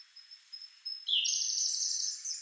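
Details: A sub-adult Grey Bunting at Kagami-ike in Togakushi, Japan, sings in turn with a Siberian Blue Robin. A thin, steady high whistle gives way to a louder, buzzy, sustained note that lasts over a second.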